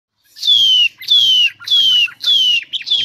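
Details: Songbird giving a song described as "xoay" style: loud, clear whistles, each sliding smoothly downward, repeated four times about every 0.6 seconds, the last one cut short by a quick chirp.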